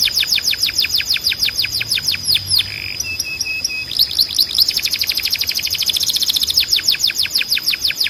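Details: Tutor song to train canaries to sing: quick repeated falling notes, a pause of flat level whistles, then long rapid trills that speed up, with bursts of downward sweeps.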